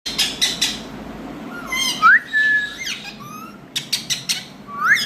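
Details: Green pet Indian ringneck parakeet, kept as a talking bird: brief rising whistled notes and short harsh chirps in scattered bursts, with a quick sharp upward slur near the end and faint room noise between calls.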